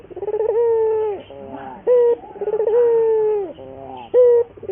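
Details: Local puter dove singing a lure or training song: two long wavering coos, each fading downward, separated by short clipped coos, with soft low murmuring between phrases.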